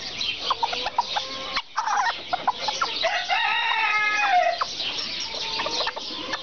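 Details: Serama chickens: staccato clucks, a brief pause, then a strong harmonic crow lasting over a second that ends in a downward slur, with clucking resuming after it.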